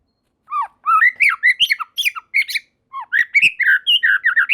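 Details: White-rumped shama singing as others join: after a brief silence, a quick series of slurred whistles and squeaky, buzzy notes, varied in pitch and tightly packed.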